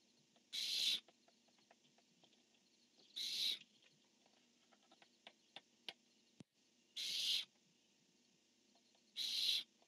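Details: Barn owls, a male calling and a female answering, dated 10-1-15: four harsh, hissing screeches about half a second long, spaced two to three seconds apart, with faint ticks and taps between them.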